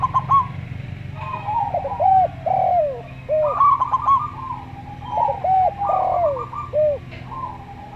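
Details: Local perkutut (zebra dove) singing slowly, buzzy trilled phrases and clipped stutters, alternating with repeated hooped coos of a calm-voiced Javan derkuku; low rumbling hum throughout.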